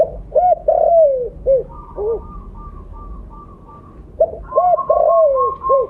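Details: Spotted dove of the blorok colour form, kept as a lure bird, giving loud cooing phrases: short arched coos then a long falling note, repeated twice, with a steady higher whistled tone between them.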